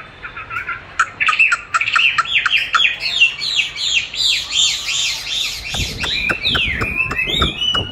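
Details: Caged Chinese hwamei answering a recording of its own voice during song training: a dense run of looping whistled notes and slurred phrases, ending with harsh broadband clicks and rattles.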